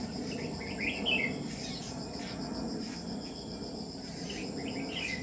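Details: Red-whiskered bulbul recorded on a trapping day, 27 July 2019: two bursts of quick chirpy whistled notes, early and late, with a constant high cricket chorus throughout.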